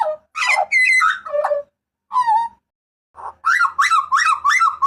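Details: Butcherbird of Papua, a loud, harsh-voiced caller recorded for training and luring cage birds: a jumble of rough shrieks and clearer whistled notes, a lone falling whistle, then five rapid nasal yelps.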